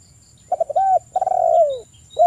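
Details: Lure recording of a wild spotted dove to make silent doves respond: pattering short notes, a smooth arched coo, then a long trilled coo gliding downward, with another phrase beginning; steady faint high whine in the background.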